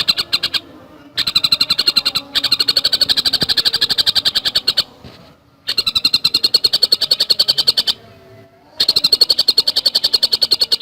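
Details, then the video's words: Javan cuckooshrike (tengkek buto) singing a fast, dense chatter: long runs of quick, evenly spaced harsh notes, separated by short abrupt gaps. "Masteran Burung Tengkek Buto Gacor Speed Rapat"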